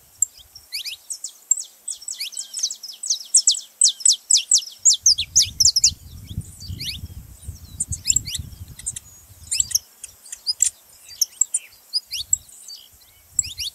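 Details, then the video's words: Saffron finch singing to encourage a quiet canary: long bursts of rapid, high, down-slurred chirps in dense phrases, pausing and resuming, with low rumbling noise in the middle section. "canário da terra pra foguea seu canário frio"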